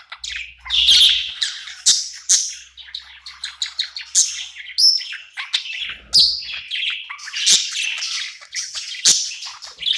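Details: Happy budgie at night in a new home, chirping and singing in a lively, fast warble of chirps, squeaks, clicks and short whistles, loud chirp bursts every second or two.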